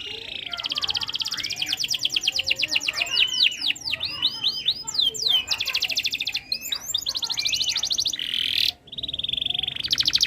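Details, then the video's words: Continuous canary song from a bird in breeding condition, used to encourage other birds to join in; rattling trills mixed with looping sweeps and clipped notes, ending in a steady buzzy roll. "Suara Burung Kenari ini Bikin Burung Lain Ikut Bunyi"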